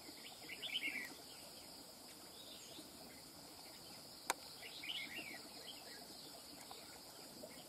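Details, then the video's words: Red-whiskered bulbul, a wild-caught bird, gives two bursts of lively warbled whistles about four seconds apart. A sharp click falls between them, with constant insect buzz behind. "Chào mào BỔI VIP CHÉ | SIÊU CẦU CHẠY NHƯ MÁY | CẦU CÁNH MỎ CỰC HAY"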